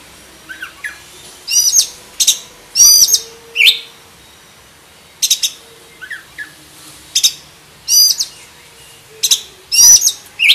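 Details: Captive black-breasted oriental magpie-robin delivering its full varied song, kept as a master singer for training birds. Loud harsh buzzy bursts repeat every second or two, mixed with short downslurred whistles and soft chips.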